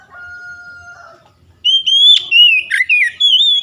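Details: Oriental magpie-robin song aimed at stimulating a raw bird that rarely sings: a steady flat double whistle tone fades out, then loud, varied whistled phrases follow with quick downward slurs and bright repeated notes.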